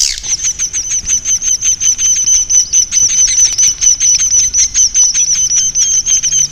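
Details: 'Inap' lure call of swiftlets, played to draw them to roost: a thin, steady high whistle over evenly pulsed chirps, about two a second, in a continuous rhythmic twitter.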